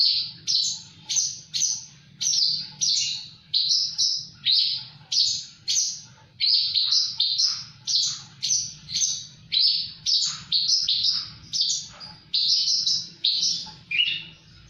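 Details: Javan bush lark in lively, full song: a rapid run of bright, high chirped notes, each brief phrase dropping slightly in pitch, repeated about twice a second for the whole stretch, with a faint low hum underneath.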